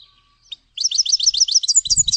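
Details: Grey-headed goldfinch, a mostly sedentary finch, delivers a fast rolling trill of high, repeated chirps that climb slightly in pitch, with a faint low rumble near the end.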